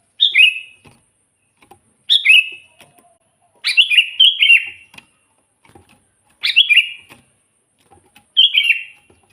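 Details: Sooty-headed bulbul in full song, used as a lure for trapping wild bulbuls; short bubbly phrases of a few quick, slurred, falling notes repeated at irregular intervals of one to three seconds, with faint clicks between.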